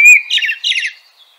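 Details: Common blackbird (Turdus merula) giving a clear whistled note that runs straight into a quick series of high, scratchy twittering notes, then fades.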